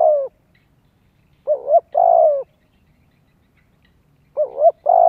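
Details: Spotted dove for luring wild doves and training young birds, repeating low cooing phrases of a dipping two-part note followed by a long steady coo, in three bouts.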